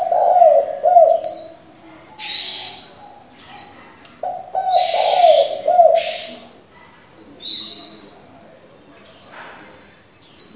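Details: Caged decoy spotted dove changing its voice to excite and train young doves: two sets of deep, throaty coo notes in quick rolling sequence, interspersed with bright high chirps and whistled notes from other birds.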